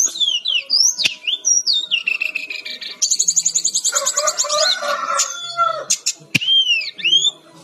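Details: Brown-chested jungle flycatcher, lively, singing for a training recording: looping high whistled slurs, a rapid trill, a lower warbled passage, then paired arching notes at the end.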